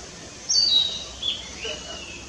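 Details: Narcissus flycatcher song from Fuchu city, Tokyo, Japan, 4 May 2017, captured on a camera: one short phrase of high, clear whistled notes, slightly falling, followed by a softer lower tail, with faint environmental noise.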